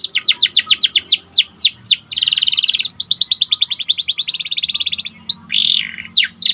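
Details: Panda-coloured white canary singing continuously, used to tutor and provoke other canaries: rapid repeated downsweeping chirps, a long buzzy trill, further fast rattling phrases and a harsh burst.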